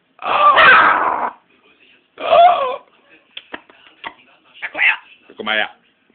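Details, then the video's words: Blue-and-yellow macaw indoors, phone recording: a long raspy cry, then a shorter hoarse one, followed by a string of soft clicks and brief scratchy notes. "Gelbbrustara spricht"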